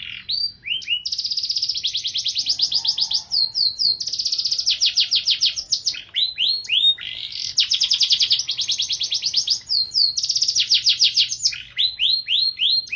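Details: Canary singing gacor song in cengkok mewah style, alternating long rapid trills of repeated notes with bursts of rising sweeps, sustained and loud throughout with only brief breaks.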